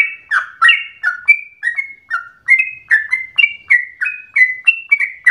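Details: Energetic song of a sooty-headed bulbul, meant for prompting other birds to sing and as a tutor recording: brisk sequence of clear whistled phrases, some rising and some falling, delivered about two to three per second, clean with no background noise.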